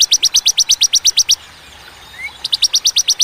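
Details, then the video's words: Bar-winged prinia in a clear 'tembakan' burst song with pauses: rapid high, sharp notes repeated about three per second, a gap of more than a second, then the rapid series resumes. "Tembakan ciblek ciwah cigun sadis pedas jernih berjeda"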